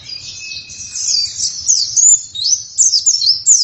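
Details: Oriental white-eye in full vigorous song, a continuous high, thin twittering warble of rapid slurred and jumbled notes, growing louder toward the end, with a soft low rumble beneath.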